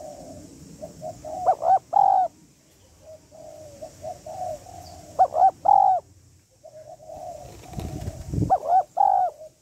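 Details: Female spotted dove calling to rouse a male, local style called gáy gọi, thúc, gù: three loud, low, rolling coo phrases about three to four seconds apart, with quieter cooing between and a dull thump near the end.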